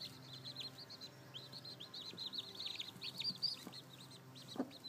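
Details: A group of seven baby chicks, just hatched and with a hen that may be sitting on more, chirps in quick, high, slightly descending peeps over a quiet background.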